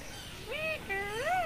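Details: Indian ringneck parakeet kept as a talking pet bird in Bangladesh, recorded 24 November 2023, giving two voice-like, speech-imitating phrases: a rising then level tone followed by a longer dipping and rising one, over faint background hiss.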